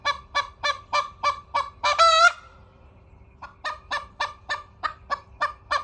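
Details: Hen crowing with a rapid string of about seven harsh, evenly paced clucks leading into one long, strained, rising note. A short pause follows, then the clucking resumes in another quick regular series.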